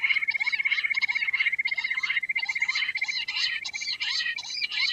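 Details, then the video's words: Quail producing a steady, rapid, ringing trill throughout, overlaid with repeated rough, chattering bursts that rise and fall in quick succession. "Queen quail sound || Lohari ka Awaaj"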